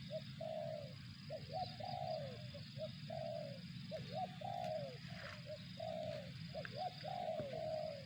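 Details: Spotted dove giving the 'target zong' tekukur call: a rapid, nearly continuous run of hoarse coos, short doubled notes alternating with longer falling ones for eight seconds, over a low steady drone.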